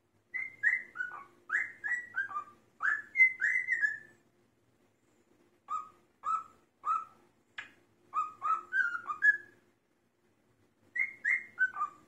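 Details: A male cockatiel whistles Queen's "Another One Bites the Dust" in clear descending phrases, making drum sounds with his voice as clicks.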